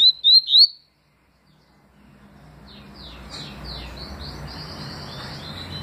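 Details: Papa-capim seedeater in 2020 delivering three rapid, clear, upward-sliding whistles of its tui song, followed by silence and then faint, softer chirping against low background noise.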